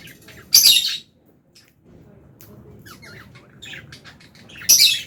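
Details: Fischer's and albino lovebirds kept together in an aviary, chirping while eating food: two loud, harsh, broadband squawks about four seconds apart, with scattered short, thin chirps between them over a quiet background murmur.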